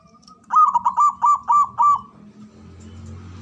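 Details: Male zebra dove in ngoar manggung call for mating arousal: a rapid run of five clipped, rounded coos in under two seconds, trailing off into low background hum.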